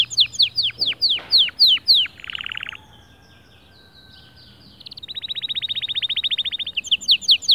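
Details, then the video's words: Male white canary singing to motivate other birds: a series of sharp descending whistled notes, a short buzzy trill, a pause, then a long rapid rolling trill of evenly repeated notes. "ذكر كناري خرافي"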